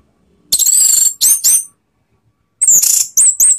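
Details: Orange-headed thrush song used as a lure to provoke rivals: loud, high whistled notes with sharp slurred inflections, delivered in two bursts of rapid phrases separated by a second of silence.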